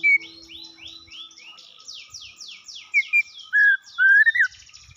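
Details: White-rumped shama in breeding condition delivering a quick run of descending high sweeps. It then gives several strong, clear whistled phrases that slide upward and waver, in a quiet setting.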